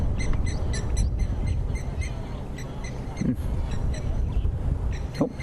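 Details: Blacksmith lapwing at a muddy dam on a Sabi Sands safari morning drive, 12 November 2015, gives sharp metallic 'tink' pinging notes, rapid then scattered, like a hammer on an anvil, over a low engine-like rumble and a man's voice.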